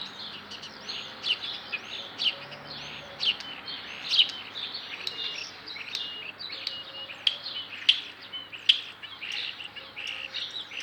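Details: Starling in a chicken-imitating performance: a continuous chattering stream of high chirps, clicks and short whistled notes, punctuated by sharper accented clicks about once a second, over a low steady background hum.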